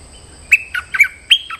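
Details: Stripe-throated bulbul calling to lure a territorial resident: a brisk series of bright, slurred whistles, some sweeping down in pitch, delivered in quick succession against a quiet background.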